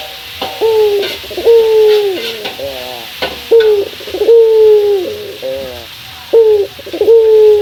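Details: Local male Barbary dove calling out to a rival in the morning: repeated two-part phrases, a short sharp coo then a long drawn-out hollow coo with a slight fall, about three phrases with faint background clatter.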